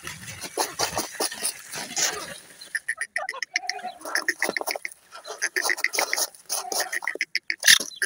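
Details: Grey francolin chicks at play, giving quick, sharp, high chirps and clicking peeps in irregular bursts, several at once, with scratching and rustling noises in between.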